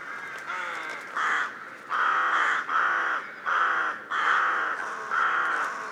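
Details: Rooks (Corvus frugilegus) recorded in the wild: harsh, hoarse caws about once a second from several overlapping birds, with fainter croaking calls between them.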